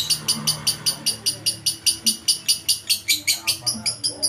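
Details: Lovebird in lively song, used as a masteran training recording: a fast run of sharp, high chattering notes, about two and a half a second, very even in rhythm, over faint low background murmuring.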